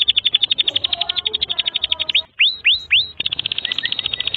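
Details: Domestic canary in long, vigorous song used as a tutor recording for young canaries and for canaries that have stopped singing: a fast, high, buzzy trill, broken by three upward-swept whistles, then the rapid trill resumes.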